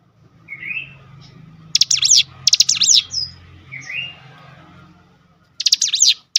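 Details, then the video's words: Cinereous tit answering a lure recording. Soft rising whistles frame two loud bursts of high, buzzy, zigzag notes, with a longer burst near the end, over a constant low hum. "spontan emosi Cigun manapun langsung gacor dengan pancingan ini"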